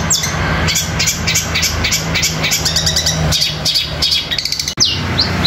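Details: Long-tailed shrike song of sparrow-fighting sounds blended with nature material, delivered fast: busy high chattering chirps and clipped notes over a steady low hum, with a brief dropout near the end.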